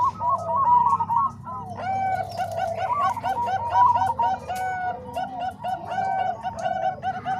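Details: Zebra doves, Bangkok and Cemani Kolbuntet voices combined for training other doves: a rolling series of soft coos opens, then many birds join in quick, stuttering overlapping notes over a low drone.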